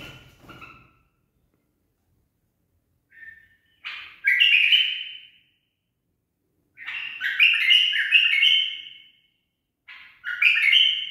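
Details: Captive bulbul trained in barwaz song: after soft scattered notes and a long pause, it bursts into vibrant warbled whistles, pauses again, then resumes with another bright phrase.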